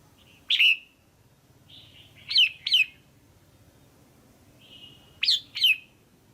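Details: Female red-whiskered bulbul calling to stimulate a male or for pairing: short loud chirps with a bright downward slur, heard singly and in pairs a few seconds apart, with softer warbled notes between.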